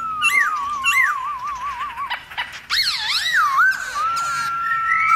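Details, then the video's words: Black-throated laughingthrush forest-voice song, played to fire up other laughingthrushes: an undulating wavering whistle with sharp high accents, then swooping loops of overlapping notes and a long, smooth whistled tone to finish. "Khướu bạc má HÓT GIỌNG RỪNG KÍCH MÚA nhiều giọng cực hay kích khướu bạn căng lửa"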